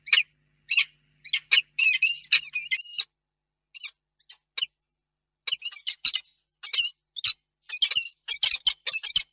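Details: Peregrine falcon pair meeting tenderly in a nest box at Reda, late afternoon toward evening, 28 February 2022; bursts of harsh, rasping calls with short creaky whistles, in irregular clusters separated by brief silences.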